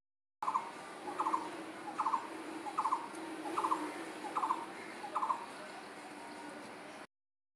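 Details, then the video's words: Steady series of short, clipped, chattering notes from an unnamed bird, seven calls evenly spaced under a second apart, with a faint low hum behind them. "এটা কোন পাখির ডাক বলতো আমি বুঝতে পারছিনা"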